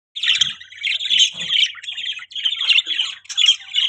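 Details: Pet budgerigars chirping, a dense run of buzzy, rapid twittering warbles held high in pitch, briefly broken near the middle, with faint low thumps early on.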